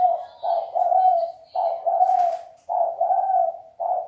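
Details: Rich, low cooing from a spotted dove in the 'sấm chuông' song style, played to stimulate males, females and new wild-caught birds; smooth two-note coos follow one another about once a second.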